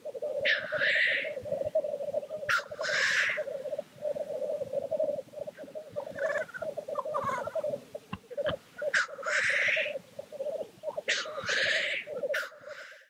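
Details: Black grouse displaying at a lek: a continuous low, bubbling cooing chorus runs throughout, broken by loud harsh hissing, sneeze-like rushes near the start, at about three seconds, and twice more late in the recording.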